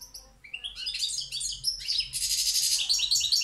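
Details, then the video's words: Goldfinch, subspecies balcanica, from Pirot: a few clear tinkling notes lead into a continuous, high, jangling warble that grows fuller and buzzier toward the end. "Carduelis balcanica Pirot Štiglić"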